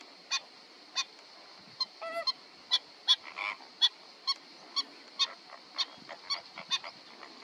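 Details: Black-winged stilt gives sharp, nasal, yapping kek notes, repeated about twice a second, over a steady high insect-like hiss.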